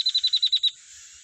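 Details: Yellow-bellied prinia in the wild while feeding its young: a quick run of about eight sharp, high, even chipping notes, then quiet.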